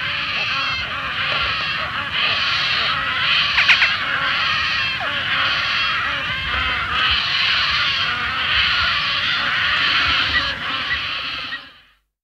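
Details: Painted stork fledglings giving continuous raspy, pulsing calls in steady bursts about every second, with other birds behind and distant water birds.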